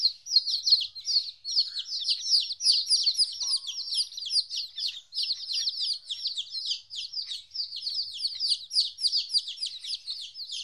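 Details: Chicks aged fourteen days, first time separated from their mother, chirp in a busy chorus of bright, high peeps, with a brief faint lower tone partway through.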